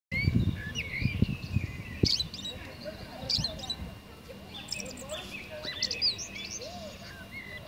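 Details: Common blackbird singing in a Kyiv park amid a busy chorus: mellow fluted phrases with high squeaky twitters, mixed with other birds' chirps and low rumbling thumps at the start.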